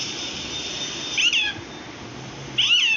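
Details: A parrot attempting the word "Allah" gives two brief, bright calls with falling, wavering tones, separated by a hissing pause.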